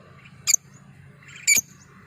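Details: Lovebird lure call kept to prompt other birds: two short, shrill, harsh squawks about one second apart, each a sharp burst reaching high pitches, over a faint low hum.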